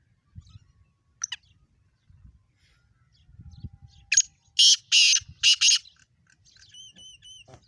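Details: Black francolin from Sindh, Pakistan, giving a loud run of four rough, rasping bursts after a faint earlier note. Thin whistled notes from another bird follow, over low rural background noise.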